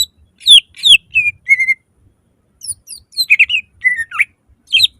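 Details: Greater green leafbird singing a loud lure meant to make other leafbirds open their beaks and sing; descending whistled slurs and a steady whistle, a brief pause, then busy twittering phrases.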